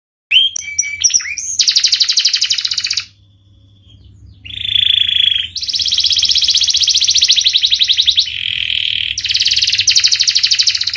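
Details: Pied 'panda' canary kept as a pet, singing prolifically: loud, rapid rolling trills and buzzy rattles, a brief pause with a soft thin note, then a lower warbled phrase before long, fast, high trills resume; low hum underneath.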